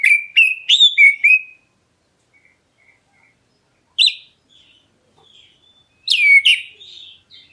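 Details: Black-breasted Oriental magpie-robin calling to provoke other birds into answering: loud whistled phrases with harsh buzzy edges in two bursts, a long pause, then a falling whistle and chattering notes, with faint soft notes in between.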